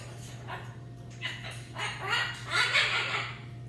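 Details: Two pet macaws calling indoors, giving harsh, raspy squawks in uneven bursts that grow louder toward the end, over a steady low electrical hum.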